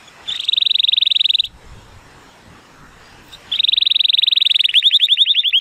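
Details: A male Timbrado Español canary rated 83 points, born 2018, sings powerfully on a sunny day: a fast, even buzzy trill of over a second, a pause, then the trill again, ending in a rolling, slightly lower series.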